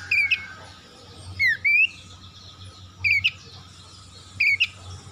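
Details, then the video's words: Oriental magpie-robin song used as a lure to get silent magpie-robins singing: short bright whistled phrases, each with a dipping then rising slur, repeated about every one and a half seconds over a low steady hum. "PANCINGAN TERCEPAT KACER MACET BUNYI LANGSUNG GACOR"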